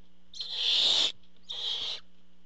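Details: Two breathy, rasping screeches from a barn owl at the nest during a food delivery by the male, the first long and loud, the second shorter and softer, over a low hum.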